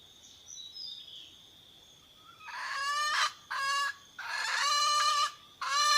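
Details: Wild red junglefowl hen calling the rooster; the recording is said to draw wild birds in. Faint high tones first, then four loud, harsh, strongly harmonic drawn-out calls, each about half a second to a second long, in quick succession.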